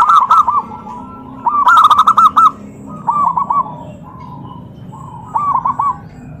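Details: Zebra dove calling to provoke other doves into answering: three bursts of rapid, bubbling cooing notes, each a quick run of five or six clipped mid-pitched coos, separated by quiet pauses with a low background hum.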